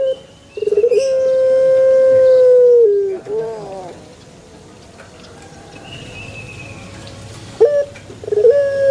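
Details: Male Barbary dove gives one long, level, mellow coo that falls away at its end. A quiet pause follows, then fresh rolling notes begin the next song.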